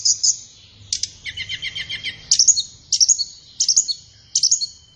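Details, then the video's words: Flowerpecker song meant for training captive birds in the morning or afternoon: high twittering notes, a stuttering trill of about ten pulses, then five bursts of quick sharp chirps repeated less than a second apart. "Masteran Terbaik Tledekan"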